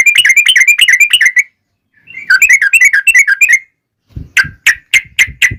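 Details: Long, fast ropel-style song of a yellow-vented bulbul used as a lure to make other bulbuls sing: two rolling runs of bubbly warbled notes, then a row of sharp separate chirps.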